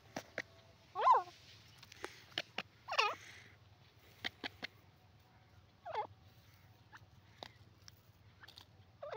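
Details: Francolin playing in the soil, giving a few wavering, warbling calls spaced several seconds apart, with frequent sharp clicks and taps and a low background hum.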